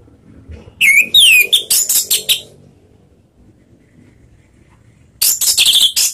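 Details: Orange-headed thrush lure song in the Indonesian ngeplong style, for stirring other birds into song: rising and falling whistles followed by rapid harsh chattering notes, quiet for a few seconds, then a fresh burst of dense twittering.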